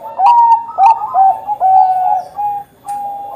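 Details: Bangkok-type zebra dove singing loudly, used to get other doves singing: several bright coos with sharp, dipping onsets, followed by longer, level notes and a short gap before a final tone.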